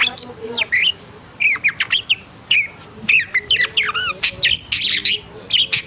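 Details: Black-and-white long-tailed shrike described as agitated (emosi) sings a busy sequence of bright whistled slurs, sharp upswept chirps and harsh notes, repeated in quick uneven clusters against a quiet background.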